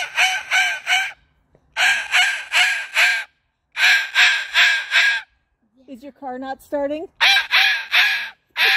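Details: Joyful summer calls from a pet Moluccan cockatoo at a park, greeting friends: bursts of loud grating squawks, several per second, broken by pauses, with a person's rising voice heard briefly between bursts.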